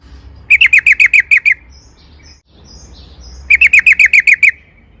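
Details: Sooty-headed bulbul sound used to provoke singing: two bursts of eight rapid, evenly repeated chirps three seconds apart, with faint thin high notes in the gap and low rumbling noise underneath.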